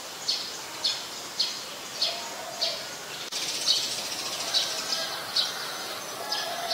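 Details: Streak-eared Bulbul in Ubon Ratchathani, Thailand, mixed deciduous forest, 20 January 2021: a steady series of brief high chip-like notes, roughly two per second, with a click midway and faint rural background noise.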